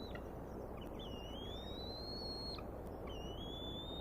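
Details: Bald eagle eaglets at the Decorah nest, Iowa, on 14 May 2019 at 6:10 pm, waiting to be fed while the adult male eats a fish: thin, drawn-out whistled calls, slowly rising, over steady broadband background noise.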